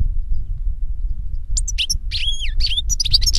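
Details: European goldfinch song outdoors: following a quiet start, clear whistled slurred notes mixed with rapid high twitters, over low background noise.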